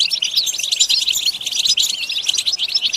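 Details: European goldfinch song: a dense, fast twittering of bright, high tinkling notes that pour out without pause across the whole three seconds, with a faint low rumble underneath.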